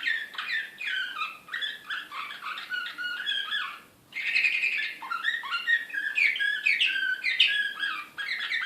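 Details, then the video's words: Canary singing in the Serbian slavujar style, recorded in Belgrade in 2016; a dense, rapid run of varied warbles, chirps and rolling trills, with a brief pause near the middle before the excited song resumes just as busily. "SLAVUJAR SRPSKI"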